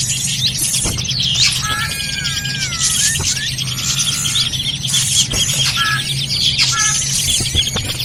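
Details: Noisy drongo call used as a lure for trapping birds: loud whistled notes sliding down and up, short bursts of harsh chatter, and a dense high twittering backdrop over a steady low hum.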